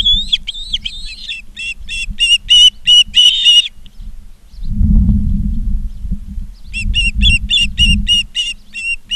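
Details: Ospreys at their Charlo, Montana nest, mid-August 2023 afternoon, give fast runs of piercing whistled chirps several per second, pausing while a low rumbling wind gust blows, then resuming.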